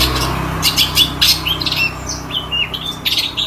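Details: Long-tailed shrike giving fainter high chirps and short squeaky whistles over a steady low hum.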